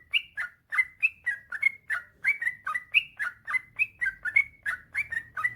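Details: Yellow-vented bulbul, a master recording for getting other bulbuls to sing: clean, rhythmic bubbly song of short liquid phrases with whistled upslurs, about three per second, in quiet surroundings.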